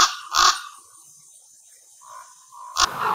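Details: At a communal roost holding more than 200 common ravens, in an amplified recording, two short, rough croaks sound about two seconds apart, with a faint, drawn-out, low call in the quiet gap between them.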